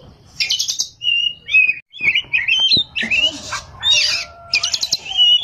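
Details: An Oriental magpie-robin, locally kacer, delivering gacor ngerol and nembak singing: varied whistled and buzzy phrases, short trills and rapid stuttered notes separated by brief pauses, loud and piercing throughout.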